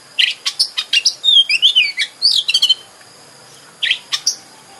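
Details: Oriental magpie-robin, called kacer, in a lure song to rouse a bird into singing with tail spread; fast sharp chirps leading into a fluid warbled, whistled phrase, then a pause and a few more chirps.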